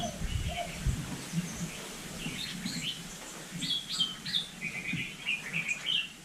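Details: Vietnamese hill myna imitating human speech, here giving scattered high chirps and short whistled slurs, several grouped in quick bursts toward the end, over low background murmur and occasional low thumps.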